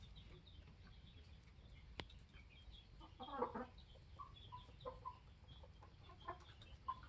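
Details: Flock of 21-week-old Polish layer hens with a protective rooster. A click, then a harsh cluck burst, followed by scattered short whistled notes and soft clucks repeating every second or so over low background hum.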